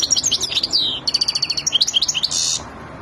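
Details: Highly aroused Wadani European goldfinch, ready to mate, sings a rapid sequence of high twittering notes and repeated staccato chips, ending in a harsh, buzzy, wheezing burst.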